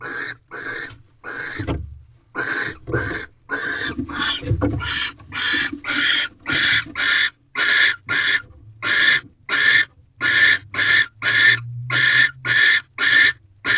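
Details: Owl box at Corral on 18 February 2023 after dark: barn owl pair mating as the male delivers a second mouse; long series of about twenty-two raspy hissed screeches, irregular at first, then steady, with soft thumps and low hum.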